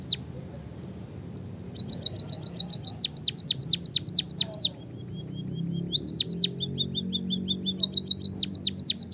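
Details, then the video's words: White-headed munia in active canary-style rolling song, used as training and stimulation for munias: long runs of fast, high, down-slurred notes repeated several times a second, broken midway by a short string of level piping notes, with a low background hum. "burung pipit bondol haji gacor suara ngeroll isian kenari - suara burung emprit kaji gacor"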